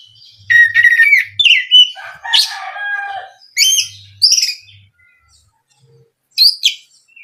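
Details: Oriental magpie-robin (kacer) lure song to provoke other birds: varied loud phrases of whistles, rasping notes and high chirps in quick succession, then a pause and a final bright burst.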